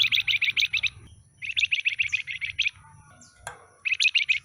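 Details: Newly acquired flamboyan with a stubby tail gives quick stuttering trills of crisp high notes in three bursts, separated by brief pauses, with one sharp click near the end.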